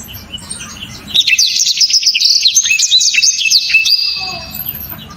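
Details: Black-throated canary kept by songbird fans, singing its loud, sharp, dense 'shot' style: one burst of quick high chirps and zipping trills lasting about three seconds. A low background hum fills the quieter parts.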